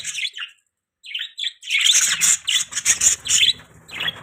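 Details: Budgerigars chirping: short bright warbled chirps, first in scattered bursts, then a dense run of overlapping buzzy chatter in the second half.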